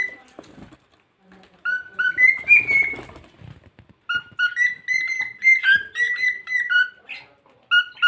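A pet cockatiel chatters in clear, bending whistles, mixing rising and falling notes into a speech-like stream.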